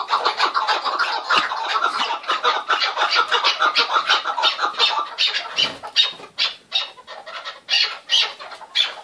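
Chukar partridges give harsh, clucking chuk-chuk calls, about three a second, in a loud, uneven, overlapping chorus.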